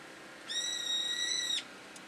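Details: A bird shouting in a yard: a single steady, harmonic, nasal-sounding note about one second long, level in pitch and ending abruptly, over faint background hiss.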